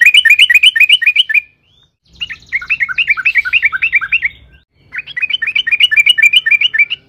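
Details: Yellow-vented bulbul in long rolling song, used to provoke other bulbuls into singing: three runs of quick, bubbly, rising notes roughly four per second, split by short gaps, with low hum beneath.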